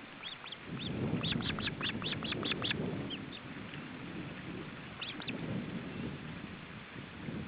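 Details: Osprey nest in July 2012 during a male's attempt to feed his chicks: a quick series of high, thin whistled peeps in the first three seconds, a short trio near five seconds, over loud low rumble.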